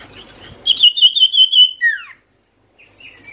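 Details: Common iora call played to wake reluctant birds into singing: a sharp high note leads into an even rippling trill that drops away in a curved slur, followed by a faint soft chirp.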